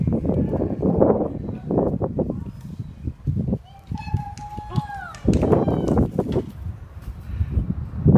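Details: Seagulls fighting in Deal, Kent, UK: one drawn-out tonal call about a second long sits mid-recording, level then sliding down at its end, surrounded by loud rough scuffling bursts and windy rumble.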